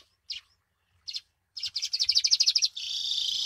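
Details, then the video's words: Weaver call used as a lure for trapping: two isolated high chirps, then a fast, regular series of rasping notes that merges into a continuous harsh buzz at the end. "SUARA MASTERAN PIKAT BURUNG MANYAR"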